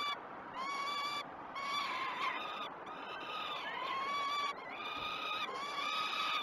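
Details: Peregrine falcon nestlings at Great Spirit Bluff crying for food at a 06:20 feed on 12 June 2018, live nest cam: sustained, slightly rising harsh wails, repeated after a short opening silence and a mid-clip pause.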